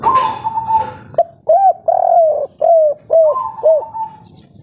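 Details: Spotted Dove, local 'kuk 3' type, singing tirelessly with a soft, clear tone: an opening drawn coo, then five short, bent, hollow notes about half a second apart, ending in a long level coo.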